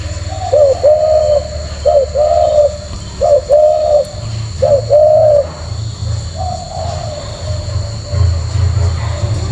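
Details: Caged, tame male spotted dove with leg rings repeats its cooing song. Short note plus sustained soft coo, four quick phrases, then a fainter longer coo, over a low rumbling background hum.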